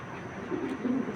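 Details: Racing pigeon cooing quietly: low murmured notes build toward a slightly louder, drawn-out coo near the end, set against constant low hiss.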